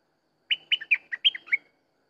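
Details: Sooty-headed bulbul giving one lively phrase of six or seven rounded, liquid notes that step up and down and close with a downslurred note. Nothing else is audible.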